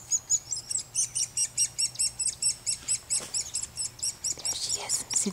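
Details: A Hairy Woodpecker, one of a male and female pair feeding young in a front-yard tree, gives a steady run of short, high, sharp chirps, about four per second; faint voices toward the end.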